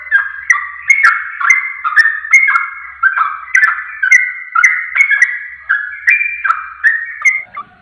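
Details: Sooty-headed bulbul lure recording meant to make other bulbuls answer with rapid song: bright, bubbly whistled phrases, each a quick rising-then-falling slur, tumbling one after another almost continuously without pause.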